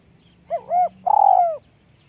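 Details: A small-voiced spotted dove gives one phrase: a short hoot and a slightly longer one, then a drawn-out, fluttering coo sloping down at the end, in a quiet setting.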